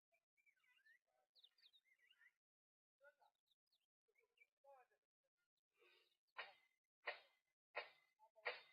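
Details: Crimson-breasted shrike at a southern African waterhole, 5 August 2023, in the background: scattered whistled chirps, then four harsh, dry clicking calls about two-thirds of a second apart, with faint voices; Crimson-breasted shrike.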